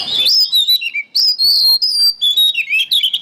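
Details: Oriental magpie-robin (kacer) singing loudly for songbird training: dense, continuous run of bright whistled notes, quick trills and slurred chirps with only brief breaks between phrases.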